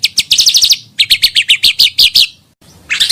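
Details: Pancawarna bird call used for luring birds: sharp, high chirps in quick bursts, about five or six notes per burst. A short pause splits the two main bursts, and a brief scratchy chirp follows at the end.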